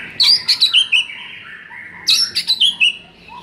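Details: Training song of a white-rumped shama, meant to rouse a shama that sings too little: two matching phrases about two seconds apart, each a string of four or five bright, descending whistled notes.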